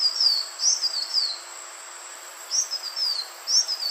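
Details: Calls of the Green iora, played to attract birds: high whistled notes gliding down, grouped in twos and threes with a pause of over a second between groups, against a constant faint hiss.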